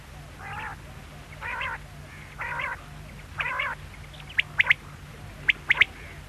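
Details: Quail calling: four nasal, buzzy, harmonic notes about one second apart, followed by sharp three-part clicks with a short note then a quick pair, over a steady low hum.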